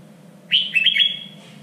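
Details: Red-whiskered bulbul contest song used for training, said to be the standard voice of Vietnam's three regions: one short, loud whistled phrase with quick rising and falling notes, over a low steady hum.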